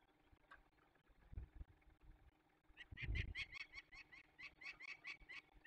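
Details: Release of young peregrine falcons, Barycz Valley, Poland, 27 May 2020: quiet at first, then from about three seconds a burst of loud, raspy, rapidly repeated calls alongside a low thud.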